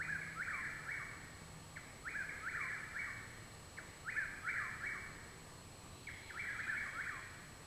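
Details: Possibly three Chuck-will's-widows singing behind a home in Parkersburg, West Virginia, on 21 June 2019: overlapping, rhythmic whistled phrases sliding up then down, every second or two, over a steady high insect drone and faint low rumble.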